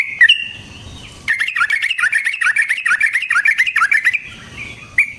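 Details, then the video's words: Yellow-vented bulbul giving lively rolling song used to lure and provoke other bulbuls: a couple of opening notes, then a dense three-second run of quick, warbling, up-and-down chatter. "Suara Burung Trucukan GACOR ROPEL Panjang Ampuh Untuk PANCINGAN TRUCUK Bahan dan PIKAT TRUCUK"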